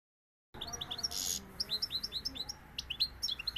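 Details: European goldfinch, a Seville-style bird, singing a rapid stream of high, bright twittering notes and short liquid trills after half a second of silence, with a brief buzzy burst near the start.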